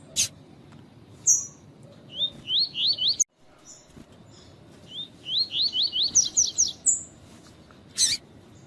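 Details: Rusty-collared seedeater singing in the tui tui style alongside female calls meant to stimulate a male; rapid series of rising whistled notes repeated in two phrases, interspersed with high sharp chips and brief clicks.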